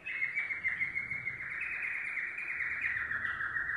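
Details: A yellow domestic canary delivers a rapid, even rolling trill, notes repeated several times a second, steady and loud throughout with a slight drop in pitch at the end.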